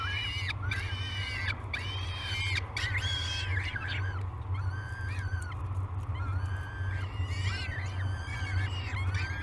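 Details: Peregrine falcon chicks at Great Spirit Bluff during breakfast on 22 May 2020, nest live cam; a chorus of whining harmonic cries and shorter choppy notes, close together and overlapping, with low background hum.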